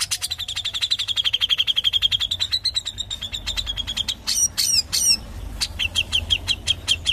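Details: Grey-cheeked Bulbul (cucak jenggot) in dense ngepik rapat style: a fast, steady stream of sharp high chipping notes, several per second, briefly broken by harsher buzzy bursts before the rapid chips resume, over a soft low rumble.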